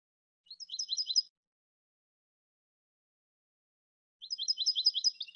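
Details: European goldfinch giving two brief phrases of fast, high, chattering notes, each about a second long, separated by a long quiet gap.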